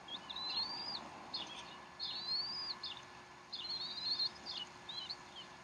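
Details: Feeding time at the Decorah bald eagle nest, 3:10 pm Central Time, 12 April 2012: clear, high, thin whistled slurs rising and wavering, three bursts with quick chirps between, over a low steady hum.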